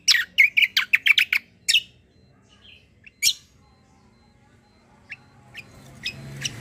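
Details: Kecial kombo white-eye, described as a loud fighter singer, opening with a rapid burst of harsh high chips, then scattered single notes and fainter calls over a faint background rumble.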